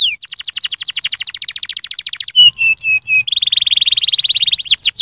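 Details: Stimulating canary song: a fast rattling trill, then a few slower clear whistled notes, then a dense buzzy trill ending in rising chirps. The bird is loud and close, with no background noise.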